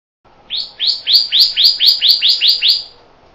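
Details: Pyrrhuloxia delivering a rapid trill of about ten bright rising notes, evenly spaced roughly four per second, clear and loud over a faint low hum.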